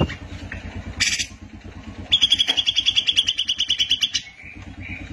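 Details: Grey-cheeked bulbul in full song for songbird training recordings: a short harsh burst, then a quick even trill of clipped high notes lasting about two seconds over a steady pulsing engine-like hum.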